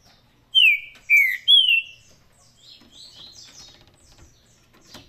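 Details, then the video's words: A trinca-ferro, or green-winged saltator, gives its Paraná song: three strong descending whistles in quick succession, followed by soft, thin chattering notes. "Trinca ferro Faísca, canto Paraná."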